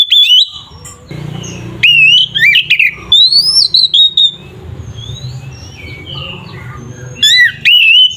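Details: Kacer, the Oriental magpie-robin, delivering a combative 'ngeplong' song used to goad other magpie-robins into fighting: clear rising whistles and twisting, squeaky phrases in short bursts separated by gaps of low background hum.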